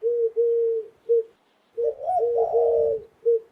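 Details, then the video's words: A dove coos in low, hollow notes: a short-long-short phrase, a pause, then a second phrase with a brief rising warble, ending on one more short coo. "Natural Dove Sound Effect"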